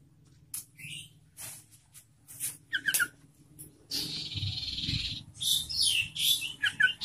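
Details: Yellow-vented Bulbul calling to prompt other bulbuls to sing, giving bright, bubbly chirps and chattering phrases, sparse at first, then a dense run of high notes, over a low background hum.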